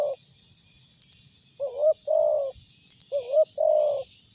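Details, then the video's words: Spotted dove with a loud, strong voice, kept as a lure bird, giving two low cooing phrases. Each phrase is a short wavering note followed by a longer, steady coo, about 1.5 seconds apart, over a constant faint high whine. "Tekukur suara besar"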